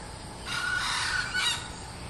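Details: A female red junglefowl gives a harsh, hoarse drawn-out call of nearly a second, then a short second burst, over a faint hiss.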